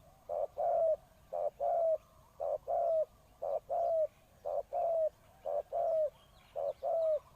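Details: Cooing from a decoy spotted dove meant to attract wild birds: rhythmic pairs of low notes, a brief coo followed by a drawn-out one with a dropping tail. The pairs repeat evenly every second or so, with little background noise.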